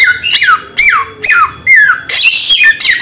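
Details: Samyong bird giving loud, harsh squawks with ringing overtones, each sweeping down in pitch, four calls spaced roughly half a second apart, then a burst of rougher, noisier calling.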